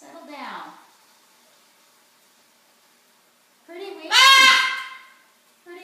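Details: Blue and gold and scarlet macaws kept as pets, chattering indoors during dinner preparation. A soft speech-like sound, a pause, then a brief loud raspy squawk-like utterance.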